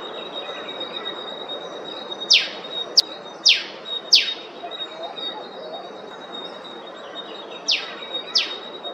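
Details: Eastern spinebill, Queensland, Australia, calling in a run of four crisp, high, steeply falling notes about half a second apart, a pause, then two more, above a steady thin hum.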